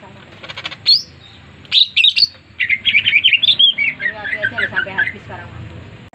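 A greater green leafbird sings a fast, varied run of bright whistles and chirps, sliding notes tumbling one after another, over a faint low background hum.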